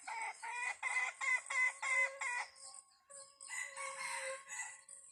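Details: Red junglefowl crow recorded while trapping wild junglefowl: six staccato pulsed notes, a short pause, then a longer held phrase, over a constant high insect chorus.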